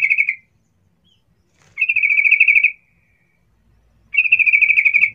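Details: Sooty-headed bulbul giving a lively 'cuk cuk' calling sound meant to lure other bulbuls into answering: three bursts of rapid, evenly pulsed chattering, the first brief, the others about a second long, separated by silence.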